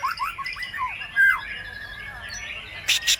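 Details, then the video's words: White-rumped shama singing vigorously as a lure to prompt other birds to sing, its song filled with imitations of other birds: clear whistled notes rising and falling, slurred phrases, with a few sharp clicking bursts near the end. "PANCINGAN MURAI BATU GACOR MATERI FULL ISIAN BURUNG LAIN LANGSUNG NYAUT IKUT GACOR"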